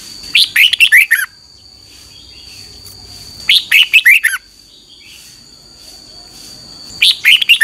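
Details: Red-whiskered bulbul in morning song, a recording for training and luring other birds: three bubbly whistled phrases, each about a second long, repeated roughly every three seconds over a faint steady hum.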